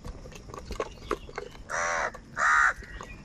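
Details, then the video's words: Crows fighting for food: after scattered clicks and faint chatter come two loud, rough caws, each about a third of a second long, spaced roughly half a second apart. "Crow birds unity anger and Sound | কাকের ডাক Crow Sound Crow ki Awaz Loudly"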